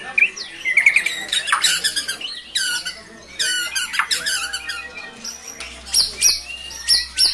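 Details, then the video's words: A white-rumped shama in full song, heard close up in a small room, sings fast and without a break, mixing loud whistles, rattling trills and harsh mimicked notes. "Murai GACOR bongkar MATERI * isian BRANTAKAN"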